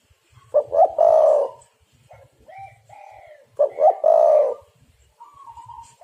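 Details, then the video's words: Lure call of a spotted dove for trapping birds: a loud phrase of two short hoots and a long sustained coo, repeated about three seconds later, with quieter, higher coos in between and at the end. "derkuku super gacor pikat dapat burung bagus"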